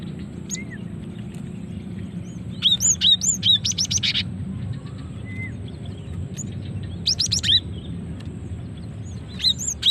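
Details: Female cinereous tit calling, a natural recording used to lure birds and trigger males to sing: bursts of sharp high upslurred chirps in quick clusters, separated by short pauses, over a steady low hum.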